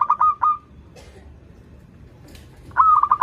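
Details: Local zebra dove song used to coax young birds into singing: a short pulsed cooing phrase ending in a sustained tone, a pause with faint rustles, then a new phrase beginning.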